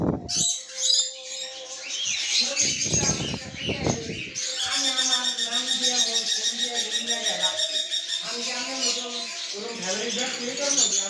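Indian ringneck parakeet chattering in bursts of speech-like mimicry, mixed with high, rapid squeaky chirps and harsh screechy notes, plus steady background chirping from other small birds.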